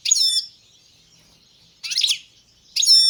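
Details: Balkan goldfinch, Carduelis balcanica, uttering three short bursts of bright, tinkling twitter, each well under a second long, separated by quiet gaps.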